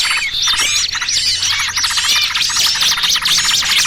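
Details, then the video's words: Small birds in a trapping lure mix, noisy trucukan combined with distressed 'pinched' small-bird cries: dense, overlapping high chirps and squeaky, rapidly repeated notes with a faint low hum underneath. "Suara Pikat Burung Kecil Paling Ampuh!! trucukan ribut kombinasi BURCIL KEJEPIT andalan pemikat"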